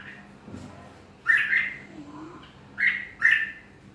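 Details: Red-whiskered bulbul giving three short, bright whistled phrases, the last two close together, over a quiet low background murmur.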